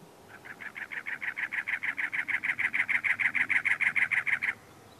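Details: In April at Anza Borrego State Park, San Diego County, California, a male cactus wren calls on territory: a rapid, even run of rough, scratchy notes lasting about four seconds, swelling slightly then stopping abruptly.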